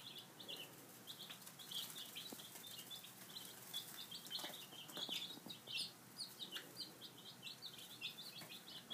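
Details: Five-day-old baby chicks feeding at breakfast time, a flock giving dense high-pitched peeps, steady chatter with scattered tapping and clicking sounds.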